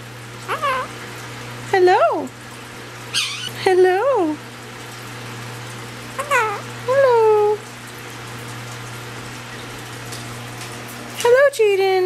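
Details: Pet male Quaker parrot indoors saying hello. About six short, harmonic, two-syllable 'hello' phrases with sliding, falling pitch come at irregular gaps across twelve seconds over a steady low electrical hum.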